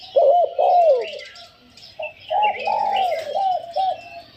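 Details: Decoy spotted dove calling: a strong double coo, a pause, then a run of softer, hollow, evenly spaced coos. Faint twittering of other birds sits above.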